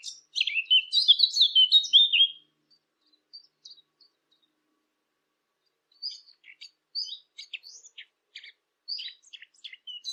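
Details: Eurasian blackcap song made for hunting call devices: a rich two-second burst of mixed whistles and trills, a long pause, then soft scattered chattering notes, fainter and irregular.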